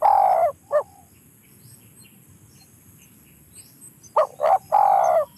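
Spotted dove giving soft, low cooing notes, a drawn-out coo and a short clipped note, then a pause before a quick double note and another long coo, over faint hiss.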